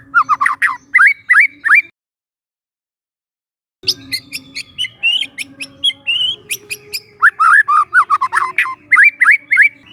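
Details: A young wild White-rumped shama singing rich, rising whistles mixed with sharp chips and rattles, delivered in quick bursts with a pause partway through.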